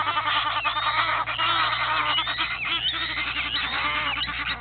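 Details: Two Egyptian goose families fighting at Gowrie dam, Djuma Game Reserve, South Africa: dense continuous chorus of overlapping harsh honks and cackles from several birds, loud throughout with no pauses.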